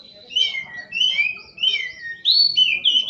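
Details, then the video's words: Prinia (burung poci), a contest bird bathed each night; repeated bursts of high chirps ending in downward-sliding whistled slurs, about four phrases in three seconds, with a faint voice low in the background. "Suara Burung Poci"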